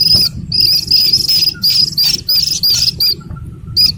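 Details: Slaty-legged crake chick giving a fast string of high, thin peeps that run together, then fall away into a few spaced notes, with faint low noise behind.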